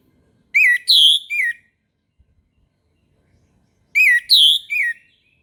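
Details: Orange-headed thrush singing in the morning: two loud whistled phrases about three and a half seconds apart, each of three slurred notes, a rising-falling one, a higher bright one and a falling last note, with silence between.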